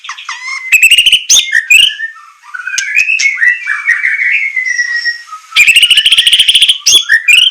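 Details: White-rumped shama training song for captive birds in semelet style with rough bursts: twisting whistled phrases and sharp notes, a soft warbling middle section, then a loud, fast, buzzy trill.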